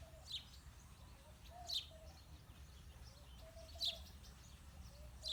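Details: Male and female house sparrows: loud, sharp chirps at irregular intervals of one to two seconds, with a low, soft tonal hum from other birds underneath.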